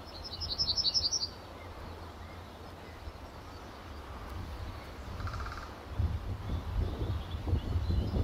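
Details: Male yellowhammer perched in a tree at RSPB Fowlmere, late March 2015, early morning: a short burst of about seven high, rapid chipping notes with no drawn-out ending, followed by low rumbling wind or traffic noise.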